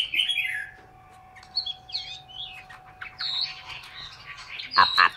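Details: A Chinese hwamei, a caged bird in Hanoi, Vietnam, gives scattered, softer song fragments: short whistled twists and chirps separated by brief gaps, ending in a few louder harsh notes, with a low hum behind.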